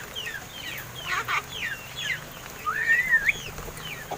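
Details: Seven-month-old pet mynas, said to be learning to talk, produce short curved chirps and then one long wavering whistle that rises, dips and jumps upward at the end, with soft low background hum.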